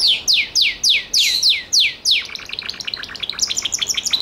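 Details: Gloster canary giving about eight loud whistles that slide downward, evenly spaced, then switching to a quicker, softer chattering trill.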